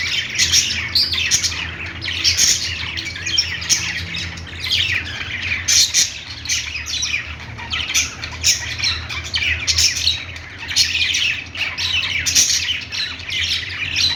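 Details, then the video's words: Budgies at play chatter constantly, a busy mix of raspy squawks and quick chirps rising and falling in waves over a low background hum. "budgies playing sounds"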